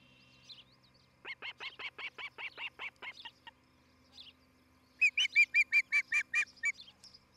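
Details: Osprey at a nest in Charlo, Montana, on a nest camera: one run of quick, sharp, piercing chirps, a short pause, then a second louder series of rapid whistled chirps, with a faint hum below.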